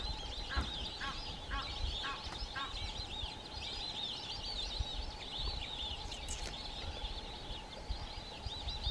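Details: A flock of white-faced whistling ducks in Africa, near waterbuck, gives overlapping high, clear whistles over a low rumble of wind.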